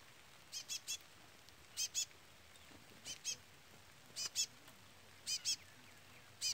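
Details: Chestnut-bellied Seed Finch chick peeping throughout the recording: thin, high paired peeps repeated roughly once a second, over a quiet background.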